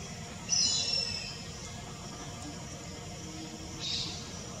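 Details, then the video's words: Grey hornbill giving a shrill, high squeal lasting under a second, followed by a softer second squeal about three seconds later, over a steady low background hum. "Grey Hornbill Call"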